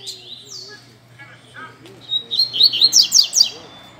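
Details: Caged rusty-collared seedeater (coleiro) at a Sunday-morning gathering of singing birds: scattered soft notes and a faint voice, then a loud run of evenly repeated sharp high downslurred notes.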